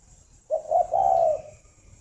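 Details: {'caption': 'Single coo phrase of a farm-bred spotted dove near Hanoi, Vietnam, in the morning: two brief soft notes followed by a long, smooth, low hoot lasting about half a second.'}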